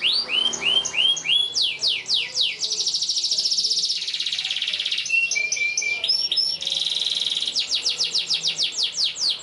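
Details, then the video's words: Canary song used as a training model for young canaries learning to sing: long, emotional chirping with rapid downward-sweeping notes, buzzy trills and a few clear whistled tones, strung together without pause. "PANCINGAN Kenari GACOR PANJANG Cuit2 EMOSI ini AMPUH utk MASTERAN Kenari PAUD belajar BUNYI"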